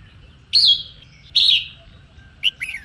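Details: Female red-whiskered bulbul singing to stir males into song: two loud, harsh, slightly falling bursts, then a short pair of quick bright notes near the end, over a faint low hum.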